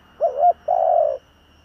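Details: A single Spotted Dove coo phrase from a kept decoy bird calling in the "giọng thổ" voice to draw in wild doves: a short wavering rising note, a brief gap, then a longer level hooting syllable.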